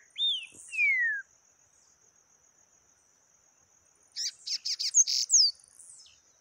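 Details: Yellow-bellied seedeater in taquara rachada song: two falling whistles first, a pause, then a rapid string of harsh buzzy high notes closing with a downslurred whistle, with a faint continuous high tone throughout.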